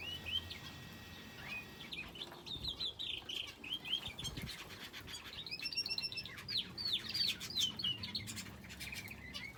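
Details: Caged finches sharing an aviary with a canary give scattered high chirps and short trilled phrases, about three per second and irregular, growing busier and louder in the second half.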